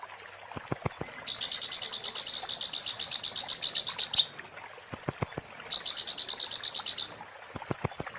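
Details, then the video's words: Oriental white-eye, a master singer for training kacer and murai, song of high rapid trills: short bursts of fast clicking notes alternating with long dense buzzy trill runs lasting several seconds, with faint ticking sounds between phrases. "master konin muntah beling"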